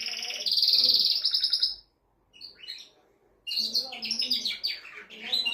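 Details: Male canary song for stimulating a hen to mate, opening with a long intense buzzing trill, then near silence with soft notes, then a burst of rapid chirped phrases.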